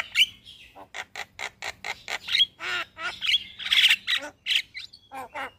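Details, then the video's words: Javan myna belting out its morning song while nodding, for training caged birds: dense harsh chattering notes, buzzy squawks and thin whistled slurs in a nonstop jumble. "Jalak Kebo Gacor Mnggut manggut pas Buat Masteran Jalak Pagi Hari"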